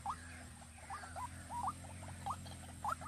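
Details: White-breasted waterhen kept as a decoy in Vĩnh Long, Vietnam: quick rising notes, some paired and uneven, with softer fainter notes between them and a droning low background hum.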